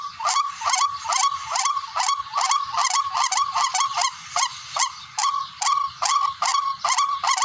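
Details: Barred rail calling, recorded for use as a hunting lure: loud, harsh honks repeated quickly, about two per second, each note short and grating, in a long, fairly steady run.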